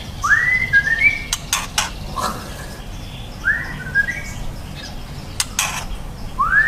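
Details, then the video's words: White-rumped shama, a young bird, sings a curved, upswept whistle that slides into a short trill-like second note, repeated three times about two seconds apart, broken by loud knocking clicks and low background hum. "Murai batu trotol prospek"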